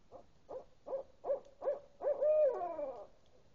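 An owl gives five quick, low hoots about every half second, then a longer, drawn-out hoot that rises and falls.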